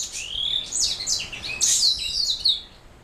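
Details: A black-throat mule, canary hybrid, delivers a short high song of a long rising whistle followed by loud, bright chirps and buzzy trilled notes.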